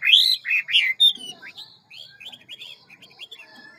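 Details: Hwamei singing ngũ trường forest-voice song, fast-paced and varied. A few loud, rich, downward-curving whistles are followed by a quieter, quick twittering chatter.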